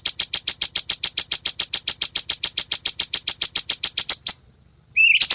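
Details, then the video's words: Cucak cungkok master song for training songbirds like murai batu, in harsh besetan style. A rapid, very regular series of high scratchy notes runs for about four seconds, then stops briefly before a rising whistled note begins. "masteran ampuh suara cucak cungkok"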